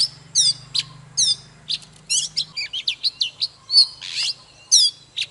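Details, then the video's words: White-rumped shama, a wild forest bird singing strongly, gives rich whistled and chattering notes, sliding and rising phrases in quick bursts with short pauses, over a faint low hum. "Chòe than Già rừng hót múa CỰC ĐỈNH || Chòe than Căng Lửa || Kích chòe than HÓT SÁNG"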